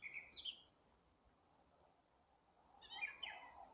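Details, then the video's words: In April, birds slowly get back into song: a short high twitter at the start, a long quiet gap, then another warbled phrase with sliding notes. "Апрель: птицы потихоньку распеваются"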